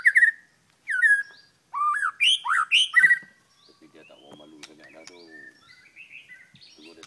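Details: White-rumped shama at Kota Aur, Sik, singing in long marathon bouts, a bird with a short tail: loud whistled and slurred phrases rising and falling, some sharp chips, followed by a man talking quietly.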